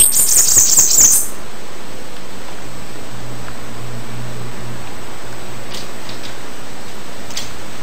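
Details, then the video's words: Bananaquit song at the start: a dense, very high, hissing trill lasting just over a second, followed by near silence with a few faint ticks. "CANTO DA CAMBACICA"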